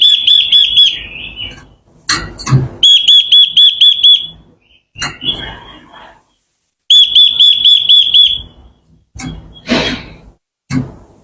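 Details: Japanese white-eye lure recording for provoking wild birds: fast series of identical high, clipped whistled notes in rapid trills, repeated in three bouts, with clattering knocks and rustles between them.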